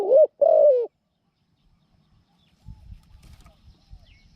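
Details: Decoy spotted dove for trapping wild doves gives one throaty, falling two-part coo, followed by low rustling and knocking noises.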